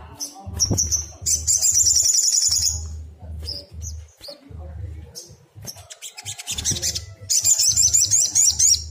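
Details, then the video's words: Excited sunbird (sogon) singing as a lure to prompt other birds to reply: long bursts of rapid, high, buzzy twittering alternate with thin whistled notes, with a low droning hum underneath. "PANCINGAN SOGON AGAR BUNYI"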